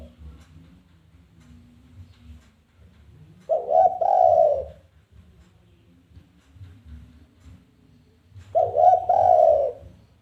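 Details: Spotted dove repeating its challenge call to lure other doves: two identical low cooing phrases about five seconds apart, each a short coo run into a longer one, with a low hum between.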